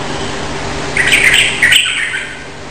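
A sooty-headed bulbul gives a short burst of bubbly, chattering notes lasting under a second, over a steady low background hum.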